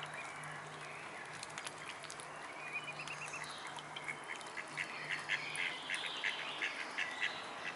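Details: Mute swan cygnets peeping: quiet at first, then a rapid run of short high peeps, about three per second, growing louder toward the end over a low steady hum.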